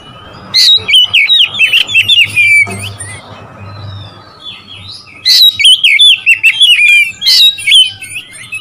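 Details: Oriental magpie-robin singing to provoke rival birds: two loud bursts of rich warbled whistles, each about three seconds long, with fast slurred notes and sharp clicks, separated by a quieter gap with a faint low hum.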